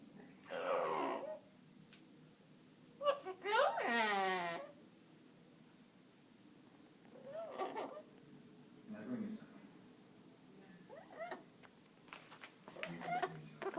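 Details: A 17-year-old Amazon parrot that loves to sing, kept indoors, gives drawn-out harmonic, voice-like notes in separate phrases a few seconds apart, with quiet pauses and a little human speech between.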